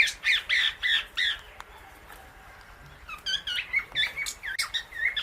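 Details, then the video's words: Pet Indian ringneck parrot sharing guava seeds with an Alexandrine parrot; bursts of short, sharp, ringing clicks and chirps, a rapid cluster at first, a quiet pause, then a brisk string of clipped notes to the end. "Parrot Natural Clicking Sounds"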